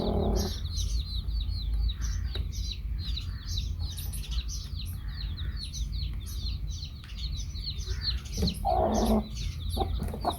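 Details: A group of baby chicks with their hen chirps nonstop in high, downward peeps, about three a second; a brief louder burst opens the clip and a fuller hen-like cluck comes near nine seconds, over low rumble.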